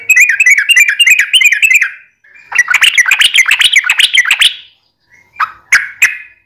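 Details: Yellow-vented bulbul in full 'ropel panjang' song, a lure to prompt other bulbuls to sing back: rapid bubbly chattering phrases in two long runs, then brief pauses broken by single sharp, rising notes.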